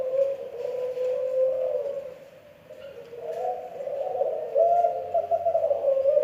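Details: Spotted dove, Kelantan, making a strange drawn-out low coo: a wavering tone that fades near the middle, then swells again into a louder quavering warble.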